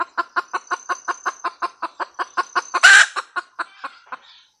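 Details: Cackling red junglefowl hen: rapid, regular clucks for nearly three seconds, ending in a loud harsh squawk, then a few fading clucks and quiet.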